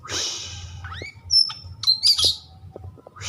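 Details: Kept white-rumped shama singing a brief mix of a rising whistle, a long thin high note and scratchy bursts, after a broad hiss at the start; soft clicks and low hum behind.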